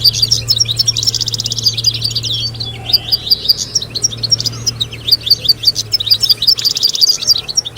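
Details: Chorus of European goldfinches, meant to teach young goldfinches to sing and encourage females to breed. Continuous bright twitter of quick sharp notes, with a brief softer lull mid-way before rapid chirping picks up again, over a low constant hum.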